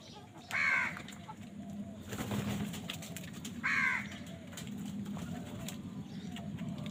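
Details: Two harsh crow caws about three seconds apart during a fight over food, with a brief noisy rush and constant low background rumble.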